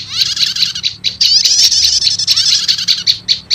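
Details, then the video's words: Prinia called prenjak lumut, in a lure combination with prenjak setater for wild birds: rapid high twittering chatter mixed with repeated clipped chip notes, continuous throughout. "Suara Pikat Burung PRENJAK LUMUT Kombinasi Prenjak Setater"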